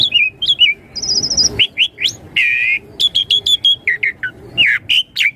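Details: Bright, fast Asian pied starling song for luring young birds to answer: slurred whistles, a buzzy trilled note, a harsh rasp, then a quick run of crisp whistled notes.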